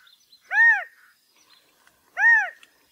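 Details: Two clear, loud, downward-arching nasal calls from a California quail about 1.6 seconds apart, given as mating calls, with faint high twitters in the quiet gaps.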